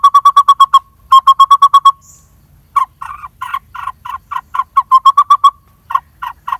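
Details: Lineated barbet nestling calling from a tree-cavity nest in a dead durian tree as parents bring food; quick bursts of repeated harsh notes broken by gaps, later becoming more uneven and scratchy.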